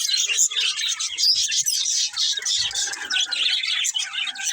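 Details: Several pet budgies chirping together: a dense, continuous chatter of short twittering and warbling notes, high and busy with no pauses.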